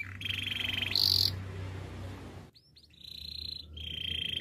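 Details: Canary singing, played as a training song for canaries: steady rolling trills at two pitches, then a brief pause and further even rolls, over a low background hum.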